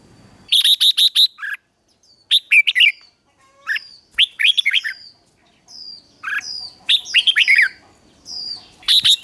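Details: Caged red-whiskered bulbul trained for morning singing, its song in bright whistled bursts: rapid runs of four or five sharp notes, then rising and falling warbled phrases, coming in short groups with brief pauses between; quiet background.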